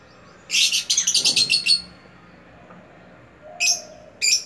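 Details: Lovebird giving a rapid burst of high, harsh chirps, then two separate sharp squeaky notes after a quiet pause.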